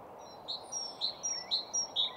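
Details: Common redstart singing at Nysved in Norra Järvafältet, recorded in mono with a single microphone: a run of four short, high, even notes about half a second apart, with thin high whistles above and soft background noise.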